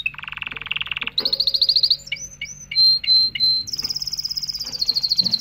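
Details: Canary song meant to excite females for mating and teach young birds: a varied sequence of fast rattling trills at different pitches, then short clear whistled notes and high sweeping slurs, ending in a rapid high trill.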